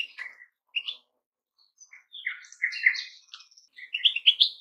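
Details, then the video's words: Scattered twittery goldfinch notes build into a dense burst of buzzy trills and chirps, then a final bright flourish. "Goldfinches - amazing song"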